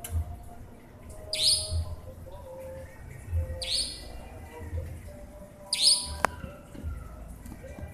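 A nightjar gives three sharp, high, explosive notes, about two seconds apart, over a low steady rumble with a single click near the end.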